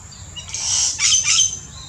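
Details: Yellow-rumped cacique in the Brazilian Amazon: a few harsh, high squawky notes in quick succession, the strongest one slurred, over a quiet background.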